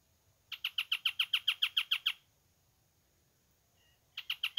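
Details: Male Ochre-flanked Tapaculo (Eugralla paradoxa), hidden from view, singing at Mallín Ahogado, El Bolsón: a fast run of about a dozen sharp, downslurred notes, roughly seven per second, then starting a second burst after a pause.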